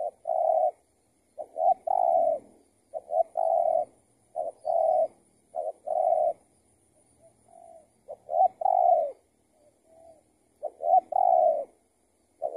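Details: Spotted dove calling back to a decoy while being trapped, the bird being another trapper's escaped tethered decoy; loud, low mellow coos in clipped short-then-long phrases, repeated irregularly every second or two against a quiet background.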